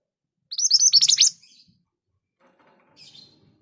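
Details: Scarlet minivet (mantenan gunung) firing a fast volley of around ten high, shrill notes in under a second, then quiet with a soft, distant high chirp and faint rustling afterwards.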